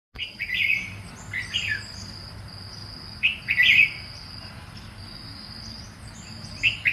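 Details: Red-whiskered bulbul singing short, bright warbled phrases in four bursts, each under a second, with a steady high insect drone running underneath throughout.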